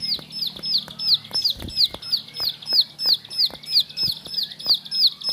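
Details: Repeated ringing, down-slurred whistles from a bar-winged prinia, a household bird, delivered roughly three each second in an even series, broken by dry clicks and one brief low thump.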